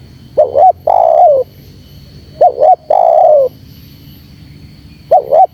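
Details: Spotted dove (terkukur) in lively 'gacor' calling used to lure birds: two short bouncing notes followed by a long, slightly falling coo, the phrase repeated about every two and a half seconds over a low steady hum.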